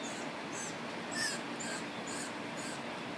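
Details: Baby woodpeckers in a family, just getting red on their heads and being fed seeds by a parent, give thin, high squeaky calls in quick bursts about twice a second over a steady background hiss.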